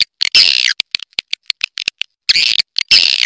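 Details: Lure call of swiftlets meant to draw birds in: loud, harsh buzzy chirps separated by a string of sharp, short clicks, then renewed buzzy bursts.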